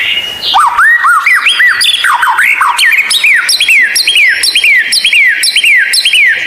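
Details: Rare, strange-sounding White-rumped shama training song for captive birds that sing little: after a brief high whistle, arching slurred notes build into a fast regular run of falling buzzy whistles.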